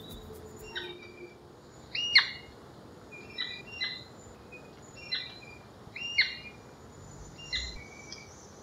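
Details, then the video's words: A Royal Flycatcher (Onychorhynchus coronatus coronatus) giving sharp, high, downslurred whistled notes about a second apart and uneven in loudness, over faint background hiss. "birdsong by Onychorhynchus coronatus coronatus"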